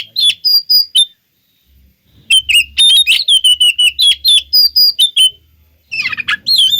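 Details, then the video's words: Lure song of an oriental magpie-robin, meant to provoke other magpie-robins into replying: bursts of high clear whistles and chattering notes separated by a silent gap, with faint low hum beneath. "Pancingan Suara Kacer Pasti Kacer Anda Nyahut Bikin Konslet"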